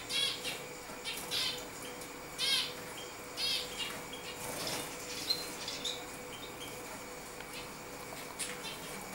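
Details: A common chaffinch (Fringilla coelebs), recorded 22 August 2013, giving bright, high chirps and short rattling trills at irregular intervals, roughly one a second, over a soft background hiss.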